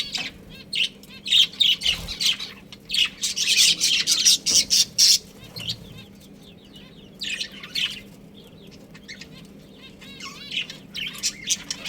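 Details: Budgerigars of a breeding pair chattering in rapid repeated high chirps and warbles, a dense run then a quieter stretch and renewed short chirps.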